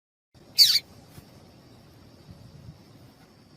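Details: Female papa-capim seedeater calling to stimulate males: one sharp, high, buzzy chirp lasting about a quarter second, then a quiet low background hum.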